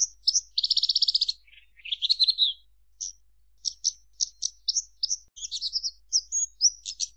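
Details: A Javan bush lark delivers a fast buzzy trill, slurred rising notes, then a long run of crisp separate chirps with brief warbles.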